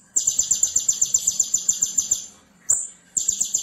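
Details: Konin in full tembakan masteran song for training other birds: a high rattling trill of rapid pulses for about two seconds, a pause, a single sharp high note, then the trill starts again.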